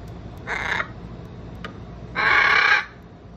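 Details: Three pet Hyacinth macaws enjoying their daily time outside: two loud, harsh, raspy squawks, the first short, the second longer and stronger about 1.5 seconds later, over steady background noise.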